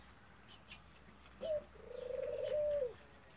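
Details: Male F1 hybrid of a male Ringneck dove and a female European Turtle Dove, bred in Italy, giving one low, rolling coo: a short note, then a longer purring, pulsed coo lasting about a second, with faint chirps in the background.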